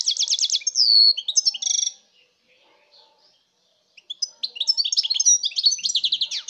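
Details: Goldfinch singing in 2019: a quick rattled trill and buzzy burst with a descending whistle, then a two-second near silence before a renewed run of rapid bright twittering.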